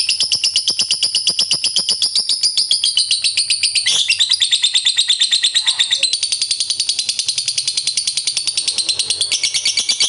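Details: Long ngekek chatter of a fighter lovebird, used to provoke other lovebirds to sing; a sustained, shrill, rapidly pulsed trill runs unbroken for ten seconds, briefly interrupted by a sharp burst near the middle.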